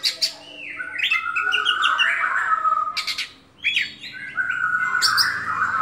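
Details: Oriental magpie-robin, kept as a caged songbird, delivers a rich varied song of warbled phrases and sustained mid-pitched whistles broken by harsh rasping bursts, with a constant low mechanical hum behind.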